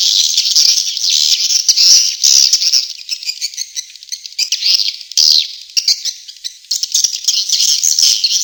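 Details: Continuous twittering of swiftlets from the Tombak Raja lure recording for drawing birds to nest: high, fizzy chirps that swell and ebb, with a loud surge just past the midpoint.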